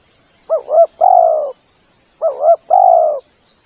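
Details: Spotted dove lure call, two clean phrases about 1.7 seconds apart, each a looping two-part note followed by a long soft coo, with a faint high chirp at the end.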